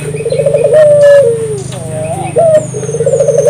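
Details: A vigorous island collared dove song used to prompt local doves to sing: a trembling purred coo that swells into a long sliding note, then restarts, with a droning hum beneath and a brief high whistle.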